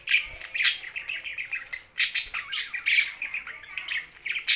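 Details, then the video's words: Budgerigars living alongside a parrot keep up a busy, continuous chatter of short chirps and warbled notes, several birds overlapping in quick repeated bursts. "Can Budgie's And Parrot's live Together"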